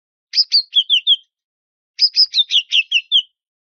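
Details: White-rumped shama provoking an opponent: two quick bursts of bright, high, repeated chirps, about five and then eight notes, separated by a short silence.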